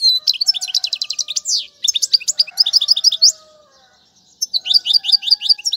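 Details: Royal goldfinch song used for teaching fledglings: quick repeated high metallic notes, then tinkling twitters and slurred phrases, faint lower tones beneath, a short gap, and a final burst of bright chirping.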